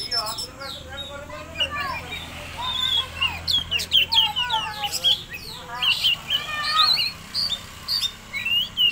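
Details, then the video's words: Oriental magpie-robin song serving to stimulate other birds. Varied whistled phrases, some lower descending notes followed by dense high chirps and trills, with clicks and a low hum beneath. "pancingan kacer"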